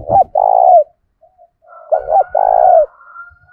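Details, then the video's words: Spotted dove decoy of 'thổ' voice, calling to rile up wild doves: two crisp phrases, each a short clipped note pair followed by a long, slightly falling coo, a faint thin whistle behind the second. "cu gay kich boi nhanh noi gù tiếng thúc đấu gây úc chế cho chim bổi và chim mồi"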